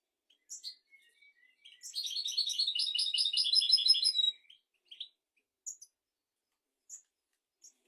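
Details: European goldfinch song used for tutoring goldfinches and canaries: a few scattered high chips, then a sustained, rapid, ringing trill of about two and a half seconds, followed by sparse twittering notes.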